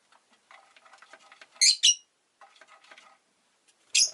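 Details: Rosy-faced lovebird with murmured, scratchy twittering interrupted by a pair of loud, shrill chirps and, after a pause, a third sharp chirp.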